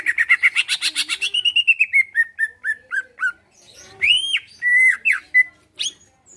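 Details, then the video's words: Greater green leafbird, a caged bird in Pasuruan, Indonesia, singing to goad other birds into replying and fighting; a fast rattling trill slides into spaced falling chirps, followed by loud arched whistles. "Cucak ijo lain liat dan dengar kicauannya bakal nyaut+gacor+tarung"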